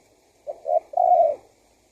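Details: One lure phrase from a male spotted dove calling wild doves in: a short note, a slightly longer one, then a drawn-out, gently falling coo.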